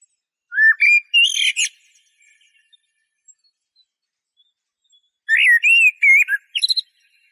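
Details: Eurasian blackbird singing two phrases separated by a pause: each opens with low, mellow fluted whistles and ends in a brief high, squeaky twitter. No other sounds.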